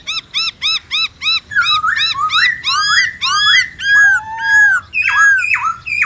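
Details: Wild-style singing by a White-browed laughingthrush: a steady run of short arched whistles speeding into louder rich slurred phrases and falling notes, delivered almost without pause.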